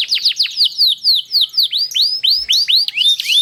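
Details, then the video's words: Long-rolling canary song played to coax other canaries into singing: steady run of loud descending whistled sweeps, about four each second, clear and uninterrupted. "GACOR ngerol panjang banyak burung kenari cepet ikut gacor dengan suara kenari gacor ngerol panjang"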